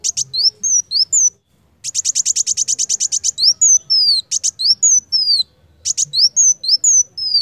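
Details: Lively song of a Van Hasselt's sunbird (kolibri wulung), kept as a training recording. High slurred whistles break into a rapid run of about eighteen piercing chips, then return to falling whistles punctuated by sharp ticks.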